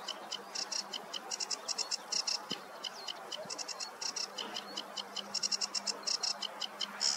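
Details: Sedge warbler singing on a meadow on a warm morning: rapid, varied bursts of high chattering and buzzy notes, repeated in quick clusters with brief gaps, over a faint background hum.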